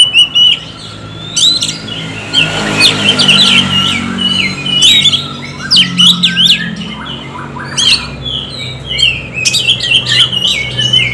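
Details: Oriental magpie-robin song used as lure audio to stimulate other magpie-robins to sing: a rich, fast run of sweet whistles, chips and scratchy squawks in bursts, over a faint low hum.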